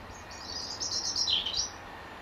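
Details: European robin belting out a territorial song from an apple tree in the final hour of daylight; one clear, high, silvery phrase that trills and then dips downward before ending, over faint background noise.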